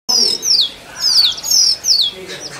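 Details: Male Oriental magpie-robin singing to attract a mate in forest: loud, clear whistled phrases sliding down from high to lower pitch, four notes about half a second apart, with faint background noise.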